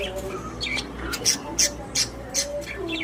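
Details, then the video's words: Pet budgerigars in a cage, described as happy, give short sharp chirps and squawky calls at irregular intervals, several bright high notes standing out over a low steady hum. "My Happy Budgies | Spreading Love in the Cage"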